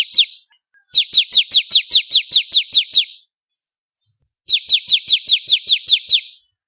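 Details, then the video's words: Bar-winged prinia song for training songbirds: crisp downslurred whistled notes rattled off in even trains of about a dozen, roughly four per second, with a silent gap between the two bursts. "Masteran suara burung ciblek kristal 4 variasi"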